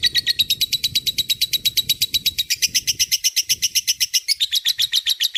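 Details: Sustained lovebird ngekek panjang: an unbroken, machine-gun run of high buzzy notes, roughly evenly spaced for over five seconds, slightly changing pitch midway, with faint low hum beneath; recorded as tutor material for other cage birds.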